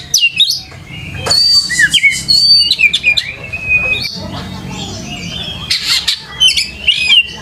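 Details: Oriental magpie-robin singing on a lure meant to help young birds learn sounds and sing actively. Varied whistles, long level notes and sharp slurs come in lively bursts, with a quieter middle section.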